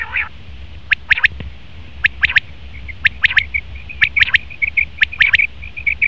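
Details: Male common quail giving its sharp three-note call, the triplet repeated about once a second, with softer whistled and nasal notes between phrases and a low rumble beneath.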